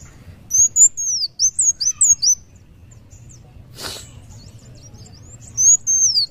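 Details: Kolibri wulung sunbird singing vigorously in the muncang daun style: thin, high, sharply downslurred whistled notes in a quick burst, a pause with one brief click, then a second short burst of similar arcing whistles.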